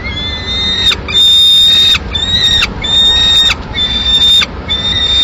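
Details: Solitary peregrine falcon nestling in Madrid, Spain, on 22 May 2016, clamouring for food as the adult female eats a swift; a run of long, steady, high-pitched whines broken by brief harsh breaks, background hum low.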